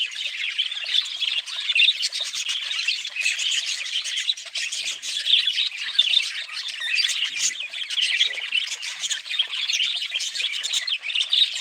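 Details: Long, unbroken budgerigar babble of scratchy warbles, squeaks and short squawks, busy and even in volume from start to end.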